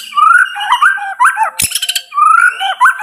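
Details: White-rumped shama of the Medan type in loud song: clear whistled phrases sweeping upward, mixed with short warbled and dropping notes, broken midway by a brief harsh rattling burst before the rising whistles resume.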